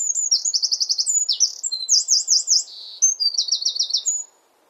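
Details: Eurasian wren singing from a favourite perch in a garden near its hidden nest: a loud, very high, rapid outpouring of sharp notes and fast trills, including a buzzy rolling section, ending abruptly after about four seconds.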